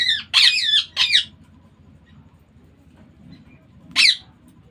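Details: Baby ringneck parakeet giving a burst of three rough, scratchy squawks, then a pause of nearly three seconds before a single further squawk.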